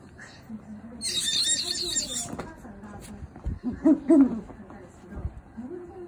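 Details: A pet great horned owl in its breeding season, courting its owner's favourite cushion, gives soft low hoots and throaty grunting notes in short bursts, with a brief rustling hiss near the start.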